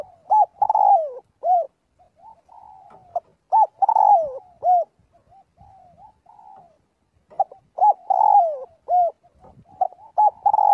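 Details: A spotted dove practises its flock-calling voice: three full phrases of paired hoots and a long, descending, rolling coo. A pause of several seconds holds only soft cooing, and a fourth phrase starts at the end.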